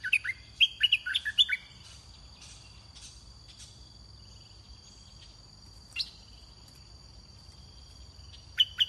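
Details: Red-whiskered bulbul in a decoy trapping session: a rapid burst of chirpy, slurred song notes, then a long pause filled by steady high insect trilling, one isolated note midway, and a brief phrase at the end.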